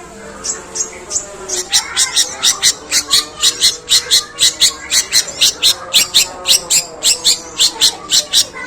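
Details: Long, rough sparrow-call imitation from a long-tailed shrike being groomed for contests: a sustained series of scratchy, high chirps delivered steadily, roughly twice a second, over faint steady tones.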